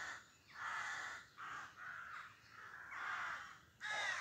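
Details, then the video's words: Rooks calling at about 5am on 25 May 2024 in a small woodland in urban Pulford, Chester, Cheshire, during the dawn chorus: hoarse, grating caws, about five in four seconds, each drawn out around half a second with short gaps. "Rook bird song"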